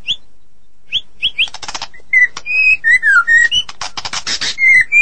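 A white-rumped shama sings a rich, varied phrase of clear whistles, high sharp chips and harsh scratchy bursts, changing pitch quickly from note to note.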